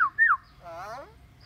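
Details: Pet talking myna giving two quick downslurred whistles followed by a nasal, wavering speech-like call.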